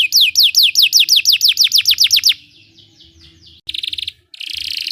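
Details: Belgian canary singing to teach other canaries: a quick string of descending whistles, then quiet trilling and two harsh buzzy bursts.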